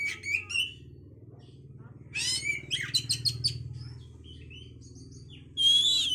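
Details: Oriental magpie-robin song for raising breeding condition: whistled notes, then a rapid series of harsh chattering bursts, thin high whistles, and a final loud buzzy phrase over a steady low droning hum.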